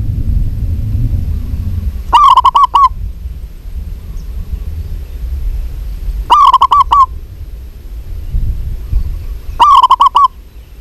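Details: Female zebra dove of the local type calling to a male, giving three separate bursts of rapid, staccato cooing notes, each about a second long and spaced roughly four seconds apart, with low rumbling background noise.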